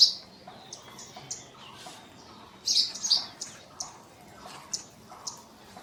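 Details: High, short chirping calls of a scale-breasted munia, Assam, northeast India, March 2025, spaced irregularly with a brief loud cluster near the middle; quiet surroundings otherwise.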